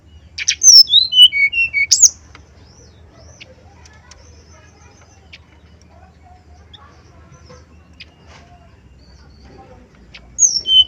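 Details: Male brown-chested jungle flycatcher singing a lure song meant to rouse other males, in a flute-like 'nyuling' style. A burst of high whistled notes slides downward in steps, then falls quiet until a brief phrase returns at the end.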